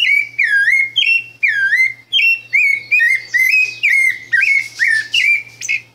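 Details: Rufous-bellied thrush in song, a bird called exceptional: loud pure whistled phrases, some dipping then rising, others flat or upturned, delivered in quick succession about every half second with rich ringing overtones; steady low hum in the background.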